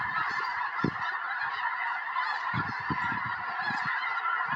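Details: Snow geese, hundreds strong, settle into a field in Tennessee in January 2026 ahead of a snowstorm; thick chorus of overlapping honks with frequent low thuds beneath.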